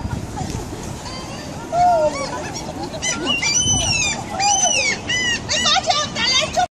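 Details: Gulls in Helsinki: a chorus of harsh, downward-curving squeals and repeated sharp yelping cries, growing louder after two seconds, several birds overlapping over steady background noise.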